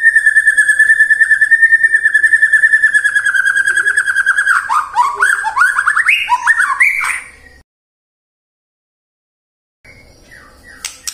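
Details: Murai batu, the white-rumped shama, singing as a lure to prompt song morning, midday and afternoon: a long, fast-pulsed trill on one pitch, then tumbling rising and falling whistles, a silent gap and faint notes.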